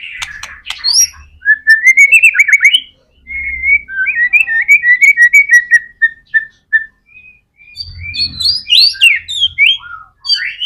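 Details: Murai batu, the white-rumped shama, in bold song: a series of clear, evenly spaced whistled notes, a short break, then high sweeping slurs with faint low thumps in the background.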